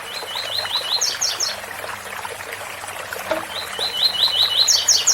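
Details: Double-collared seedeater singing the tui-tui bitola song style: two bursts of rapid, evenly repeated high chirping notes that climb to sharper, higher trills at the end of each phrase, over a steady rushing waterfall.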